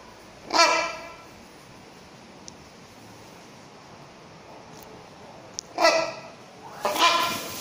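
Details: Rhinoceros hornbill, subspecies silvestris, in Chester Zoo: one harsh honk, a long pause with faint clicks, then two more loud, nasal honks close together near the end.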